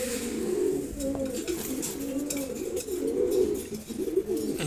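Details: Pair of silver Gorra pigeons kept indoors giving deep, rolling coos that rise and fall in repeated bursts, a soft clatter midway.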